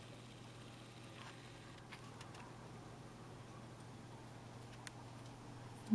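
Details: A steady low hum fills a small indoor room, with scattered faint clicks and ticks and no animal voice.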